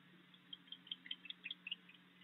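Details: Barn owl at a nest box in the evening, where a resident pair shows disapproval of a new young owlet trying to take over: a run of short, sharp, high, uneven twittering chirps, about five per second, over a low electrical hum.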